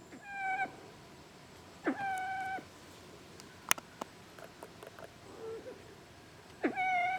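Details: A male Siamese fireback foraging in dry evergreen forest at Sakaerat Environmental Research Station, Wang Nam Khiao, Nakhon Ratchasima, Thailand, gives three drawn-out, nasal, mewing calls a few seconds apart, with faint clicks and taps between.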